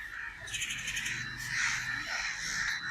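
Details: Crow calling: harsh, raspy caws rise out of a dense, steady hiss of background sound, with several overlapping bursts clustered near the middle and end.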